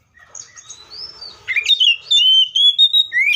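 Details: Seychelles magpie-robin song: soft twittering first, then a loud, clear, sustained whistled phrase that wavers and slides slightly up at the end.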